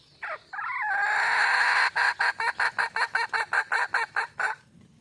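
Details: Calling for a mate, a wild red junglefowl hen gives two brief opening notes, a strained held note that rises and dips, then around thirteen fast, regular clucks before falling silent.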